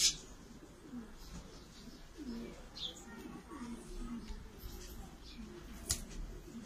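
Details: Black-mottled Shami stud male pigeon cooing: low, soft rolling coos with curved tones, clearest between two and three seconds and recurring faintly, over a steady low hum, with a few sharp clicks and taps.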